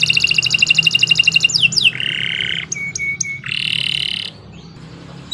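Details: Canary singing as a training master: a fast high trill, then harsher lower buzzy notes and a few clipped whistles, fading near the end over a low background hum.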